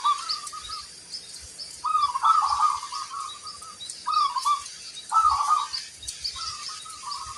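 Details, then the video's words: Local zebra dove in active song with a big 'kung' voice: rolling, quavering coo phrases repeated every second or so, with thin high chirping from other birds throughout. "Perkutut lokal gacor, gayer suara kung besar"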